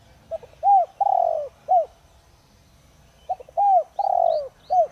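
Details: Decoy spotted dove with a 'Đồng Rặc' voice, singing to draw wild doves into answering. Two full phrases of soft, arched coos, each with a long wavering falling note. Faint high chirps from another bird near the end.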